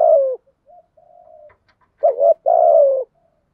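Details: Spotted dove decoy bird cooing to prompt other males into singing; a falling drawn-out coo, soft faint notes, then a paired rising coo and long descending coo.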